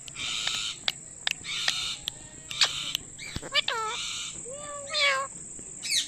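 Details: Indian ringneck parakeet calling loudly: harsh broadband screechy bursts alternating with sharp clicks, then a series of rising and falling chirped notes, all over a constant high-pitched background whine.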